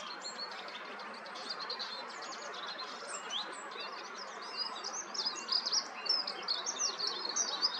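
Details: Eurasian wren territorial song: a rapid, high-pitched jumble of trills and sharp notes, growing louder toward the end, over a steady broadband hiss.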